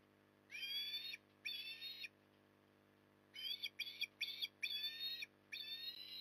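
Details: At Port Lincoln, Australia, an osprey during evening feeding in October 2020 gives two shrill whistled cries, falls silent, then a rapid, choppy series of short piping notes ending in a longer squeal.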